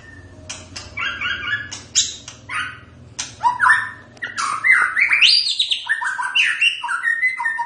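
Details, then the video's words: White-rumped shama singing a rich, varied song: sharp clicks and rapid buzzy notes at first, then a loud run of quick, slurred whistled phrases that jump up and down in pitch, with faint low hum underneath. "Kicauan khas Murai Batu"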